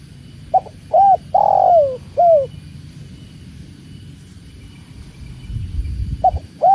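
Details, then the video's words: Spotted dove (tekukur) cooing: a short note, a rising-falling coo, then a long drawn coo sliding downward and a final falling note, with the next phrase starting near the end. Low background rumble. "Slow living starts here… with tekukur and the sound of water"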